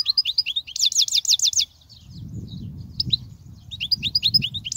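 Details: European goldfinch song used for teaching young goldfinches: scattered high chirps, then a run of five loud, identical looping notes in quick succession, followed by softer twittering phrases over a low rumble of background noise.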